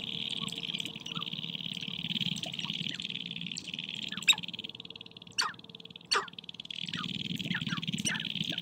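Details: In spring, sharp-tailed grouse dance and fight on a prairie hilltop lek to win females. Three loud, abrupt squawks stand out amid scattered softer chirps over a constant high hum.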